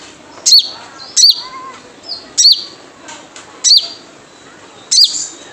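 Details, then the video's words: Wild sunbird lure call: five sharp, very high chip notes, each a fast down-slurred squeak, repeated about every 1.2 seconds, with faint softer twittering between them. "Jrejet Cuit Suara Panggilan Khas Sogon Liar untuk pancingan sogon agar gacor"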